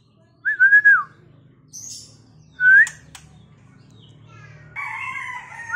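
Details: A captive male White-rumped Shama of the Medan type gives a few loud, slurred whistles, rising then falling, between thin high chips. A rooster-like crow joins at the end.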